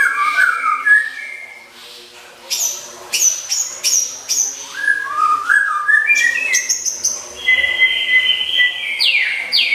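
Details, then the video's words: Oriental magpie-robin, a caged bird kept for song contests, singing a varied masteran isian song: long whistled notes, sweeping slides, sharp high chips and flat buzzy tones, with short pauses between phrases and a steady low hum. "BERBAGAI MACAM MASTERAN ISIAN, SIAP MEMUKAU JURI"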